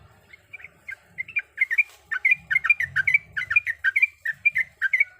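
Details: Calling female sooty-headed bulbul, seeking the male: hesitant scattered chirps at first, then a brisk, irregular stream of bright twittering notes, with soft low thumps underneath.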